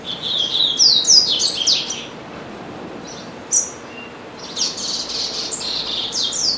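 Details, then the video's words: Home-kept caged double-collared seedeater singing through the day between meals; a rapid whistled and twittering phrase opens, a single sharp note follows after a pause, then another dense run of high chattering notes. "Coleiro Bravo - Canta Muito"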